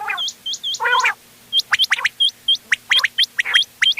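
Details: Quail calls mixed from ghonge wal, doghla and changa birds for hunting, 31 October 2025: a run of sharp hooked whistles, a short harsh grating burst, then rapid clipped chirps repeated several times a second.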